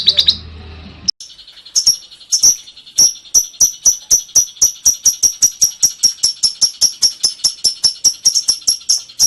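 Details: Lovebird singing a long ngekek: after a short noisy opening, a steady run of sharp, very high clicking chirps repeated several times a second.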